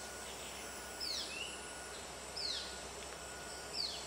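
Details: A juvenile Yellow-bellied Bulbul (Alophoixus phaeocephalus) still calling for food gives thin, high, down-slurred squeals about every 1.5 seconds over a steady insect hiss. Recorded 7 October 2010 at Congkak Forest Park, Selangor, suggesting breeding season is on or just over.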